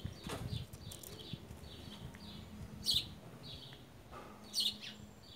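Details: Creamy-bellied thrush feeding on fruit in a garden, wild, recorded at 14:33 on 18 September 2018 with a smartphone. Two sharp, high chirps about two seconds apart amid rustling, clicking and faint background bird notes.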